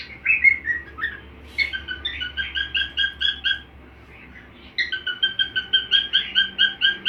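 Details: Cockatiel song learned from the sound of another cockatiel, a way to teach pet birds new songs: two runs of quick, bright, whistled notes, each repeated rhythmically several times a second, separated by a brief pause.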